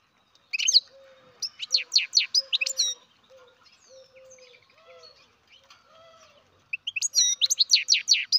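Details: A European goldfinch chick bred in captivity twitters in quick buzzy clusters, then falls quiet for several seconds before another rapid chirping burst. Soft low tones continue throughout.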